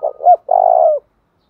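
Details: Spotted dove giving a 'thúc đấu' coo, used to stir up and train newly caught and decoy birds: two short low coos, a brief rising note, then one long steady hooting coo lasting about half a second, with no other sounds.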